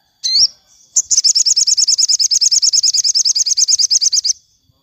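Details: Sogon in the afternoon, played for training captive birds: an upswept whistled note, then a long rapid trill of about forty high notes repeated evenly for three seconds.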